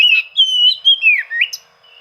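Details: Oriental magpie-robin rival-seeking song, used to stir silent birds into singing: a loud sustained whistle that wavers, dips, then rises again in a smooth slurred phrase.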